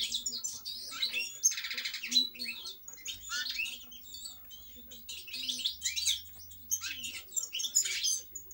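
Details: European goldfinch song: fast, cheerful twittering mixed with a dry buzzy trill and sharp high chirps, with a low steady hum in the background.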